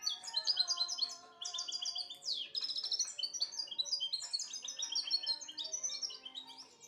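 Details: European goldfinch song, a dense run of high chirps, buzzy trills and sharp descending slurs delivered without pause, with fainter lower tones underneath.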